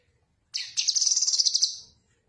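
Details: Cucak kinoi singing, recorded as a tutor song for other birds: a single high, dense phrase of rapid pulsed notes lasting about a second and a half, beginning with a sharp burst, on a quiet background.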